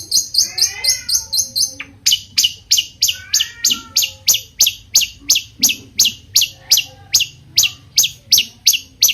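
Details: Long-tailed shrike song meant to make other shrikes answer: long series of sharp, high descending chips, almost three per second, interleaved with soft warbled slurs in the background.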